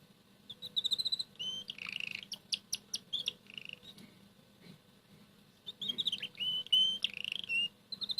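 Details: Morning song of a red canary quietly singing between bites of boiled egg yolk; bursts of fast whistled trills and sharp chips, a short pause, then a longer run of bright rising and falling phrases over steady indoor hum.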